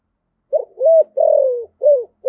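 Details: Spotted dove cooing in the 'giọng thổ' voice style as a lure for wild doves: a short soft note, a level coo, a long drawn-out falling coo, then a brief arched coo and the start of another.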